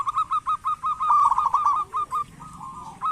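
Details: Zebra dove of local stock, lively caller meant to prompt lazy doves: a run of evenly spaced short coos that speeds into a dense rolling trill, then a few sparse notes.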